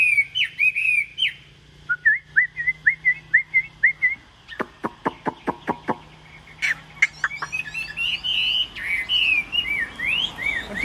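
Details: Caged Chinese hwamei described as delivering song fast like a sewing machine: short whistled notes in quick series, a volley of sharp clicks, then loud tumbling warbled phrases.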